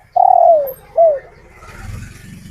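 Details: Local male spotted dove, kept after being taken from the wild, cooing to call females: a long falling coo and a shorter bent coo, followed by rising rustling, rumbling background noise.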